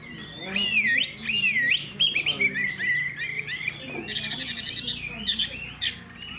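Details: Caged Hwamei with a fanned tail, a spirited bird of good temperament and fine voice, sings a rich varied run of looping, slurred whistles that rise and fall, with trilled notes and a faint hum behind.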